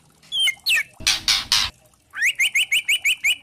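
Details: White-rumped shama (murai batu trotol) lure song with kretekan, meant to provoke other shamas into singing: a few sharp descending whistles, a burst of three harsh broadband rattles, then a fast even series of upslurred chips.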